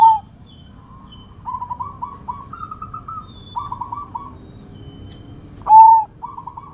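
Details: Zebra dove of the Sumbawa type, a rare bird singing strongly with a big voice: loud pure coos open and near the end, framing repeated rolling, stuttering coo phrases at an even pitch, over low background noise.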